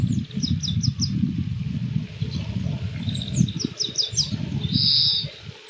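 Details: Spring song of an Oriental greenfinch, Yuzawa Central Park, 14 March 2026: quick high chirp series and twittered phrases, ending in a drawn-out nasal buzz, with constant low rumbling background noise.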